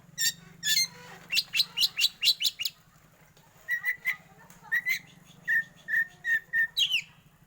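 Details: Black Oriental magpie-robin, a caged competition bird, singing in the 'batuk' (cough) style: rapid bursts of harsh, scratchy notes, then a run of short, clear whistled notes repeated about every half second.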